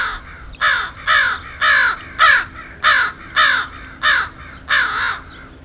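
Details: Crows mobbing a stray cat in a backyard give harsh, hoarse caws, nine loud calls in quick succession about every half second, each slightly descending, against a faint low hum.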